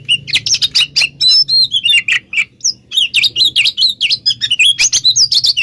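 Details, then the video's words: Oriental magpie-robin song used as a lure to make other magpie-robins answer: a rapid, loud stream of varied whistles, sharp chirps and clicks, pitched high and tumbling with little pause, over a faint low hum. "Pancingan Suara Kacer Pasti Kacer Anda Nyahut Bikin Konslet"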